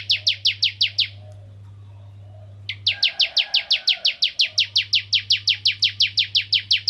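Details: Bar-winged Prinia of the Ciblek Kristal type, sung to spur other prinias into song: a quick burst of sharp high chips breaks off, then after a short silence a long, even series of repeated notes resumes.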